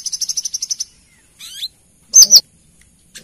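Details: Lure recording of a female brown-throated sunbird calling to the male: a quick high buzzy trill, a short rising whistled slur, then two loud piercing chips close together, with a faint note at the end.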